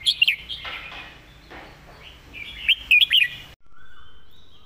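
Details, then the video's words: Red-whiskered bulbul master song: looping, wavering whistled phrases and a bright trio of notes, then the song cuts off abruptly, leaving a faint thin tone. "จัดเต็ม"สำนวนดี ร้องชัดคำ เพลงแม่บท"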